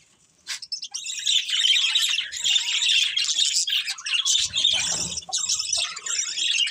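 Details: After a moment of quiet, a pet budgerigar breaks into continuous scratchy warbling chatter, fast buzzy chirps running together with a faint low thump midway.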